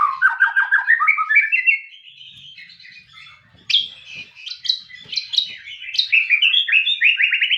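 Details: White-rumped shama song: a rapid rising series of repeated whistled notes, a softer pause, then a string of sharp high slurred notes and fast trills.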